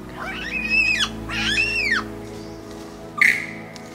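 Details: A male Superb Lyrebird in the Blue Mountains west of Sydney, Australia, performing a territorial display, mimics a Yellow-tailed Black Cockatoo: two drawn-out, harsh wailing notes that rise and fall, then a short sharp note, over soft background music.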